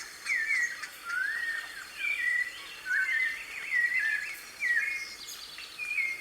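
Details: Wild white-necked thrush in natural surroundings, recorded live, delivering varied whistled phrases with upward and downward slides, roughly one each second, over light background noise.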